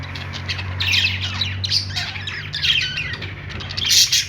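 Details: Budgerigars singing on a perch: busy, scratchy warbling and squawky chirps in overlapping bursts, with a sharper high chirp near the end and a low steady hum underneath.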